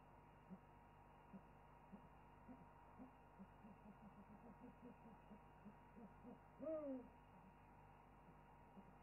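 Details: During an owl chorus on a wildlife webcam, faint soft low notes tick along for several seconds before a single clear, arching hoot near the end.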